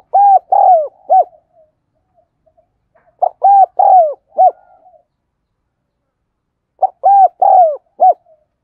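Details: Calling spotted dove kept as a lure bird: three evenly spaced phrases about three seconds apart, each four arched coos with the third longer and falling, against a silent background.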